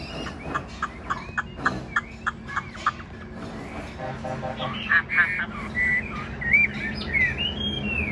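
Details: Large caged Chinese hwamei performing its 'ngũ trường' song with nodding 'lion dance' movements. It opens with a run of sharp repeated clicks, then shifts into a sweeping series of clear whistled phrases.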